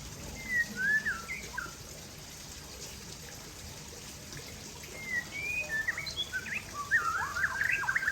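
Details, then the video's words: White-rumped shama, Aceh type, singing while sunbathing: clear whistled slurs, then a denser, faster run of varied twisting notes toward the end, with steady background hiss. "Murai Aceh # Berjemur"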